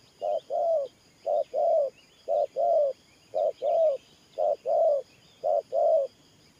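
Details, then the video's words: Gù cooing from a spotted dove used as a decoy for trapping, thổ pha nước voice: soft low doublets, a brief note then a longer coo with a lilting rise and fall, about once a second, faint twittering behind. "Thổ Pha Nước Gù AE Tự Thẩm.Clip288_ Nết Gù coi sướng mắt"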